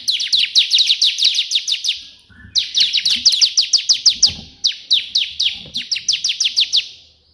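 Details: Energetic bar-winged prinia singing the white-prinia 'shot' version, meant as a master recording for other birds: nearly continuous streams of fast, sharp, high descending chips, broken by brief pauses, rhythm slightly uneven.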